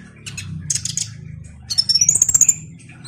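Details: Van Hasselt's sunbird (kolibri ninja) in full song, used to prompt another bird to sing: scratchy high notes, then a fast rising, repeated trill of bright clicks over a steady low hum.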